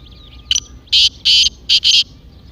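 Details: Partridge call meant to prompt a kept partridge to call: one short note, then loud, harsh, buzzy notes in a rhythmic pair of pairs, with little background sound.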